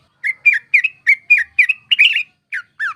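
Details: Sooty-headed bulbul calling as a bird-trapping lure, a quick sequence of bubbly slurred notes that speeds into a cluster, then two slower falling whistles.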